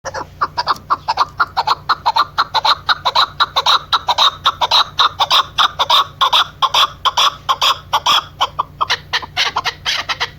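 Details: Female chukar partridge (Alectoris chukar) call: a fast run of hoarse, clucking chuk notes, about two per second, fairly steady, with a faint low hum beneath.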